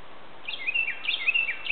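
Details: Northern cardinal (possibly two) singing in backwoods on a still, quiet Sunday morning: two quick phrases of clear, slurred whistles swooping up and down in a bright mid-high pitch, over soft background hiss.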